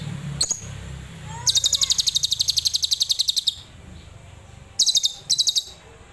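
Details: Adult lovebird singing in the tembakan Cililin style: a short high chirp, then a rapid machine-gun trill of buzzy pulses lasting about two seconds, a pause, and two more brief trill bursts, over a low background hum.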